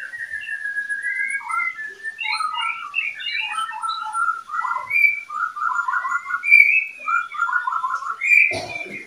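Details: Oriental magpie-robin from a captive breeding pair gives a varied run of clear whistles and rapid warbled phrases, steady throughout, ending with a brief low thump.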